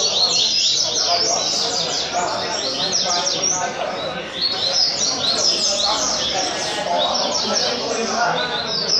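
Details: Coleiro, the double-collared seedeater, delivering a fast Caveirinha-style song from Rio Comprido. It is a rapid run of sharp chirps and slurred whistles packed closely together over nine seconds, with faint human speech behind.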